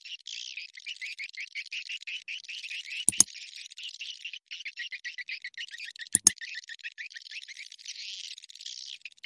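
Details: Swiftlet sound used as a lure to attract swiftlets to a bird house: steady rapid chirping trills of high, thin notes in long runs, broken by two sharp loud clicks about three seconds apart.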